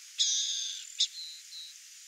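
Burrowing owl giving a harsh, raspy half-second screech, then a short sharp burst and two faint, thin high notes.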